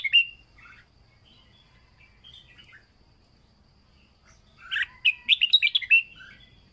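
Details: Red-whiskered bulbul singing in the "plai loi" style, a training recording: faint scattered chirps, then a loud burst of quick bright warbled notes near the end, with softer bird chirps in the background.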